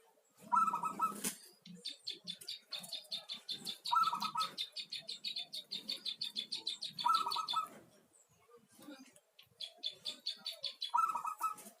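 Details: Local zebra dove singing: short rolling cooed phrases repeated about every three seconds, over a steady high chattering trill from other birds.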